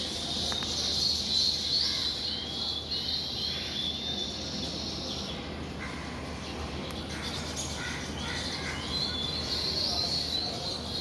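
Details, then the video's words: Morning chorus of weaver birds coming and going from their nests: dense, high-pitched chirping that swells and fades, with short bright notes scattered through a constant rustling background. "Listen to & see the weaver birds chirp and coming in and out of their nests in the morning"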